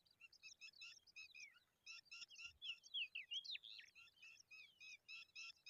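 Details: A baby pipit being fed a worm. It makes fast, thin, high chirps, about three a second, that swell midway into louder slurred, rising notes before settling back into steady chirping. Faint outdoor background.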